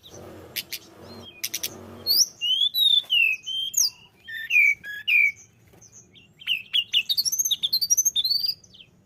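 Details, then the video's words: A vigorously singing tledekan gunung used as a lure bird: two sharp high clicks open, then sweet whistled notes sliding down, a short pause, and a rapid climbing sequence of quick chirped notes. "tledekan gunung gacor"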